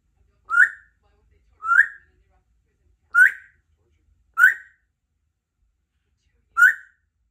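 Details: Pet 3-year-old female Congo African grey parrot, kept indoors in a country home, practising words and sounds: five short, bright whistled chirps, each rising slightly, spaced about one to two seconds apart in a quiet room.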